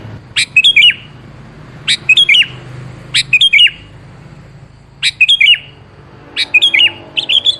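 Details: Sooty-headed bulbul singing to coax another bulbul into answering: a series of short, lilting phrases of three to four bubbly notes, repeated roughly every 1.3 seconds.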